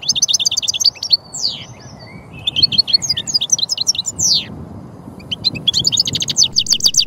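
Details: European goldfinch (Carduelis carduelis), a threatened finch in France: continuous rapid, tinkling twitter mixing high chirps, rattling trills and long slurred downward whistles, barely pausing.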